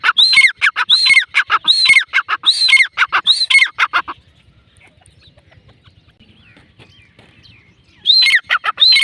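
A female grey francolin gives loud, harsh, ringing notes, about six in quick succession, then pauses several seconds before starting again.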